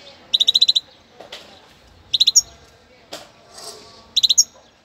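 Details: European goldfinch from Cádiz, a new young singer kept to motivate other birds, giving short rapid runs of four to six tinny ringing notes at irregular intervals. Soft clicks and a low room hum sound in the gaps.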